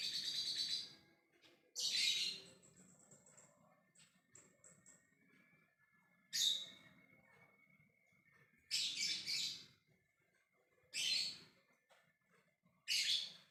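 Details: A lovebird calls to others with ngekek chatter. Rough screeching bursts, one followed by a few thin high chirps, are spread unevenly across about thirteen seconds, with a faint continuous whine behind.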